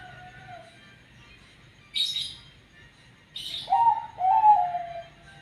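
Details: Perkutut zebra dove of the banyu mili katuranggan type with an odd-sounding voice: after a faint note and two brief bursts of noise, two mellow, slightly descending coos follow back to back.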